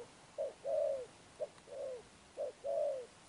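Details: Spotted dove, wild-caught, giving 'Thúc Đồng Pha Sấm' cooing with 'Sấm Thổ' tone. Three clear phrases, each a brief note followed by a drawn-out, gently descending coo, spaced about a second apart over a quiet background.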